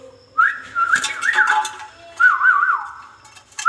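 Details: Ringneck parakeet, kept as a pet, giving two bursts of clear whistling, wavering and warbling between mid pitches with rising and falling loops, separated by a short pause; faint indoor clicks.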